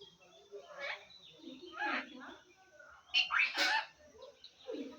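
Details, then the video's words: Talking pet parrot from Assam mimicking human speech, saying Assamese phrases. It gives several bursts of hoarse, speech-like syllables with some sharper, louder high-pitched notes toward the end. "assames talking parrot / ki korisa ? hello🙋‍♂️ o kaka"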